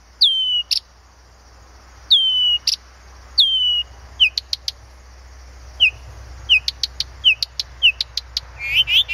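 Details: Blyth's reed warbler singing at Planta, Podlaskie Voivodeship, Poland: clear downslurred whistles repeated every second or two, then short sharp clicks and a closing run of buzzy rising notes, over a faint low hum.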